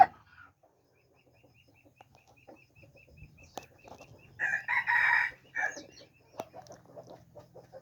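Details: A red junglefowl crow, recorded 13 September 2021, comes at mid-clip as a short harsh burst of two or three syllables among quiet clicks, taps and a faint low hum.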